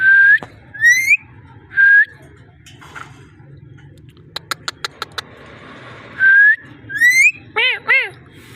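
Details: Ringneck parrot voice: steady whistles alternating with rising notes, a quick sequence of clicks, then repeated whistles and wavering arched calls over a low hum.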